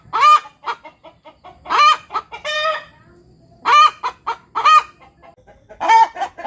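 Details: Free-range village hen giving the post-laying cackle: clusters of short staccato clucks building into loud drawn-out squawks, one bright squawk after another in uneven rhythm, quiet gaps between phrases, no other sounds.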